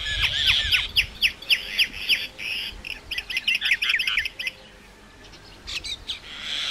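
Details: A common myna pours out a rapid, chattering string of whistled, slurred notes over a ticking rattle for about four seconds, then goes quiet apart from a short harsh burst.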